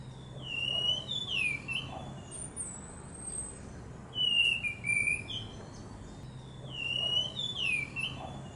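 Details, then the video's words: Ashy thrush singing in repeated phrases: clear whistled notes that slide and dip, with each phrase group returning about every three seconds and quiet pauses between, over a steady low background hum. "Masteran Anis Kembang Filipina"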